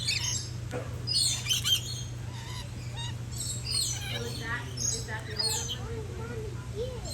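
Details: Green-naped lorikeet parrots giving high, shrill, screechy chirps in short bursts, overlapping one another, over a steady low hum with faint voices in the background.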